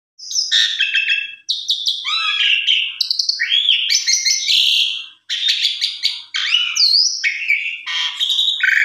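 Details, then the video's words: Javan pied starling song used as a lure to prompt other birds to sing, a varied medley of bright whistles, harsh chattering notes and rising slurs in short bursts, with two brief pauses. "Pancingan Jalak Suren Paling Ampuh !! Hitungan Detik Langsung Respon Gacor Full Isian"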